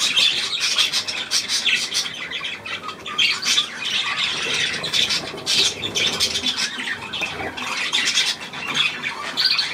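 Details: Nonstop budgerigar racket from 9 February 2024, with harsh squawks, warbling chirps and scratchy buzzes tumbling over one another in a dense, unbroken wall of calls.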